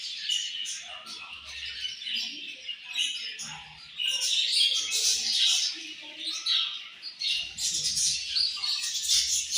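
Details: Colorful budgies calling together in a dense chorus of rapid, high, grating chirps and warbles that swell louder in the middle and toward the end.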